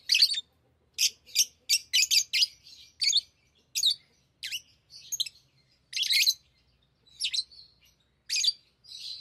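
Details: Tame pet lovebirds talking and singing while playing with rings: rapid series of sharp, raspy high chirps, several per second at first, then spaced bursts with soft twittering.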